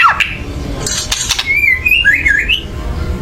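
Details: White-rumped shama giving a loud, excited chatter meant to provoke singing: a few harsh clicks, then a wavering whistled phrase that rises and falls over about a second.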